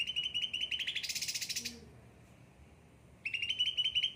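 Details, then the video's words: Pampered kept cucak ranting: a rapid mid-pitched trill runs into a harsh high burst, then silence for over a second before the quick trill resumes. "gacor cucak ranting"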